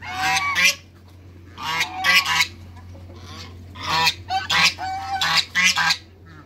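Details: Two African geese kept in a backyard among waterbirds call loudly, strident nasal honks in quick doubled and tripled bursts, pausing between groups; a constant low hum runs beneath.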